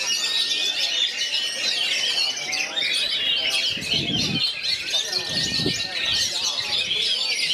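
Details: Kerayu-style singing from an oriental magpie-robin among three other magpie-robins: busy, overlapping high chirps and whistles run nonstop, with a steady thin tone throughout and a few low thumps midway.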